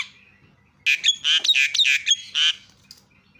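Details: Javan myna, a lure recording meant to provoke other mynas into calling: after a short silence, a run of about seven loud, harsh, buzzy bursts with brief whistled notes between them, ending by 2.6 seconds.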